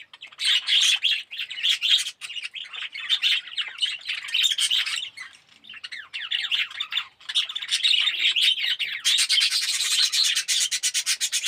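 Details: Colony of Australian red-eyed budgerigars, yellow birds kept in an aviary, producing a busy mix of squawks and chirps from many birds at once, ending in a rapid scratchy rattling burst.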